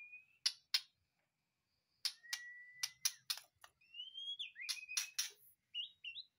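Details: Caged white-rumped shama fresh from a breeding cage, singing at once: long whistled notes near steady pitch broken by sharp, broadband clicking chips, a rising slurred whistle toward the end.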